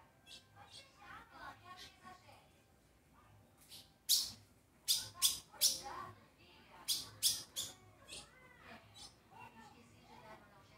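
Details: An Ultramarine Grosbeak coming out of moult gives soft warbled, slurred whistles, broken by quick bursts of loud sharp clicks or knocks.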